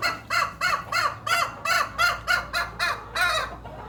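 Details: Hen giving a strange, unusual call: a rapid series of about ten short, arched, harmonic-rich notes, roughly three per second, each rising and falling, with a faint low hum behind.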